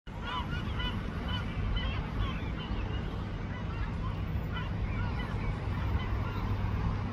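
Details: A yellow-legged gull gives short nasal, yelping calls in loose bursts in Tivoli Park, Ljubljana, Slovenia, on 21 June 2024, with a steady low rumble of city traffic underneath.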